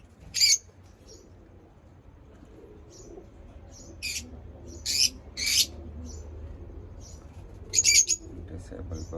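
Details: Lovebird chirping: a few short, very high, sharp chirps come singly and in pairs at irregular intervals, with quiet gaps between them and a faint low hum underneath.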